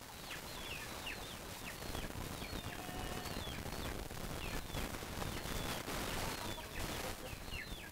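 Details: Many chickens, called with their favourite feed, give short, rising clucks and squawks every half second or so over a steady rush of rapid clattering, pecking-like noise.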